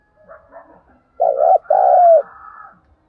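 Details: Soft chirping precedes a decoy Spotted dove's strong two-part coo, a lure call meant to get wild doves responding; faint twittering continues afterward.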